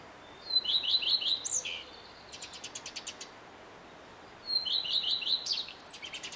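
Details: Singing male common redstart, vocal from early morning till evening; two high phrases of fast repeated slurred notes ending in a squeaky rising flourish, with a dry ticking rattle between them.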